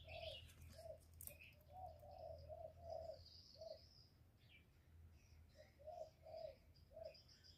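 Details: Spotted dove coos used to lure doves and excite caged ones, as short mellow low notes in groups of two or three with gaps between. Background birds chirp and trill, and a low hum runs throughout.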